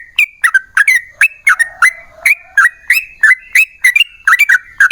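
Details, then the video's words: Lure song of a yellow-vented bulbul meant to set other bulbuls singing: a steady series of loud, sharp chirps, each a quick slurred note, about three per second, with faint background notes between them. "TRUCUKAN GACOR Ropel Panjang Buat PANCINGAN TRUCUKAN Agar Bunyi"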